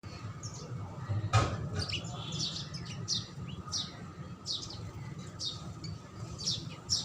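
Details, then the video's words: House sparrow calls: short, sharp chirps repeated irregularly, roughly one or two per second, over steady low rumbling background noise, a faint steady hum, and one loud knock early on. "HOUSE SPARROW Food(Sparrow Sound)"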